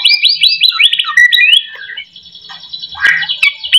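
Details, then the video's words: Song of a white-rumped shama, played to get lazy shamas singing: rapid repeated upswept whistles tumbling into lower slurred notes, then softer scratchy chatter with a brief noisy burst near the end. "AMPUH buat pancingan murai"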